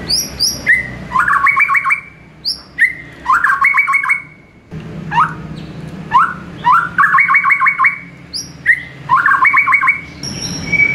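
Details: Caged-bird training song of a white-rumped shama recorded in the morning: high whistled slurs drop into loud, fast clusters of repeated ringing notes, repeated four times with brief pauses between phrases.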